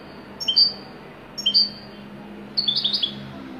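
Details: European goldfinch, wedani style: two crisp two-note chirps about a second apart, then a quick tumbling twitter of several high notes.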